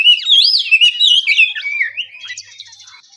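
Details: Morning ngeplong song of an oriental magpie-robin (kacer): a loud rush of swooping whistles and warbled trills for two seconds, trailing off into faint high twitters.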